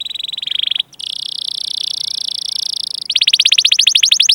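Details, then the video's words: Canary rolling song (ngerol), meant to train young or silent canaries: a long, buzzy, rapid trill held on one high pitch, breaking briefly, then switching to a pulsing, slightly slower trill. "Suara Burung Kenari Gacor Panjang cuit cuit Ngerol untuk Pancingan Kenari"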